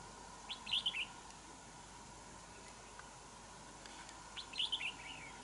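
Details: Wild red-whiskered bulbul answering a decoy at a fighting trap: a pair of lively warbled phrases of quickly changing, clear notes, repeated after roughly four seconds, with steady faint background hiss.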